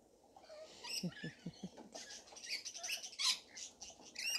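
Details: Rainbow lorikeets in a feeding frenzy: dense, overlapping shrill screeches and sharp chirps from many birds, growing busier toward the end, with a few low, soft thumps early on.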